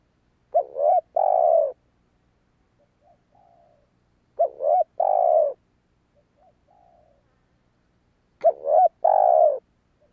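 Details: Spotted dove calling to lure wild doves: three cooing phrases about four seconds apart, each a short wavering double note followed by a longer, steady, mellow coo. Faint softer notes are heard between phrases.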